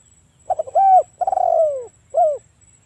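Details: Spotted dove afternoon cooing, used to coax stressed birds back into song: a few quick stuttered notes, a rising hoo, a long throaty coo that rolls downward, then a short final coo.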